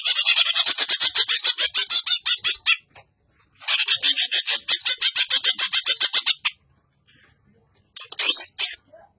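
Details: Greater green leafbird giving a harsh-voiced song, used as a tutor recording for training other songbirds: two long bursts of fast, rattling, high chattered notes, about three per second, separated by short pauses, then a brief sharp flourish.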